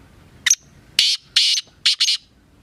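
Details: Black francolin calling loudly: a short sharp note, two longer rasping notes, then a quick closing pair of grating notes, with a quiet background.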